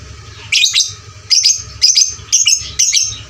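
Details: Fighter lovebird, loud training lure: bursts of shrill, squeaky double chirps repeated roughly every half second to second, irregular in spacing, with a low hum beneath.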